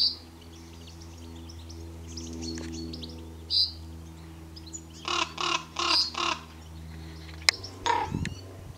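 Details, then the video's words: Raven gives four harsh, raspy calls in quick succession, then one more; small birds chirp faintly over a steady mechanical hum. "Raven call"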